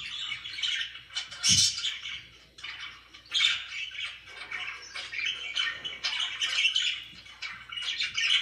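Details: Pet budgerigars chirping and chattering indoors in a continuous stream of warbling, scratchy notes mixed with sharper squawks, with a brief low thump near the start and a faint steady hum underneath.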